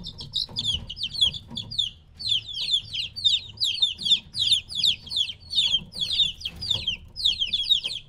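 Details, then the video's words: Chicks roughly three weeks old separated from their mother keep up loud high peeping, each note a quick downward slide, repeated in overlapping runs by several birds, with faint low rumbling underneath. "2 HOUR OF LITTLE CHICKENS CHIRPING NOISE"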